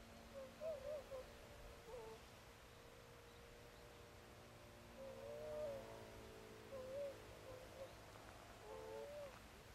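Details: About twenty tundra swans at a swan wintering site in Saitama Prefecture, Japan, give soft, mid-pitched hooting calls, some slightly rising, every few seconds over a faint background hum.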